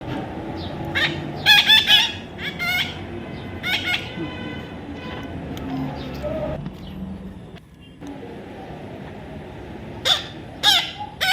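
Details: Baby parrot calling with scattered harsh, harmonic squawks near the start, middle and end, separated by stretches of low background rumble and noise.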